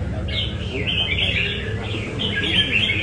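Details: Red-whiskered bulbul from Nam Đông, trained in Da Nang, giving a light try of its 'cafe' style song: bright warbled phrases, rising and falling, run almost continuously over a low steady rumble of background noise.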